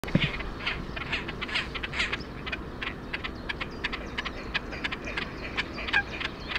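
Great crested grebe giving a rapid, irregular run of short, harsh, grating notes, several per second, over a steady background hiss.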